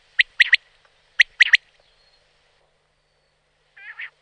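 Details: Common quail in the wild: two quick three-note phrases, each made of sharp, liquid clipped notes, given about a second apart, followed after a pause by a short, softer nasal call with stacked tones.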